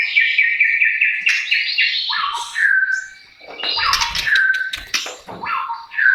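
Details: White-rumped shama singing, played to coax a silent bird into song: clear steady whistles give way to downward slurs, harsh scratchy bursts and sharp chips, phrases separated by short gaps.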